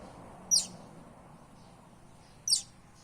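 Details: Buff-banded rail chick from the Philippines giving two short, piercing high-pitched peeps two seconds apart, with quiet low background noise between them.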